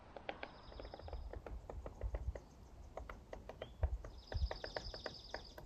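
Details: A woodpecker hammers out sharp, irregular knocks, several per second, on a trail along Thunder Creek near Diablo Lake, North Cascades National Park, in summer 2025, under a steady low wind rumble with thin high whistles from another bird.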